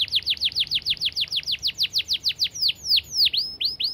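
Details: A canary (Serinus canaria) sings a fast, even trill of high, down-slurred notes, about seven a second, that breaks into slower, louder swooping whistles.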